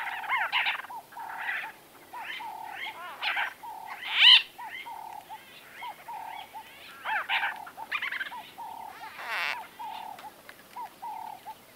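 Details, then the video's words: White-fronted bee-eaters in close-up conversation: a steady run of short, arched, mid-pitched notes overlaid by bursts of higher, rapid chattering and rolling trills from several birds, with one sharp loud squeal near the middle. "White Fronted Bee / White-Fronted Bee-Eater. NB: Exact Date Of Recording Not Known. MCU-CU Conversa"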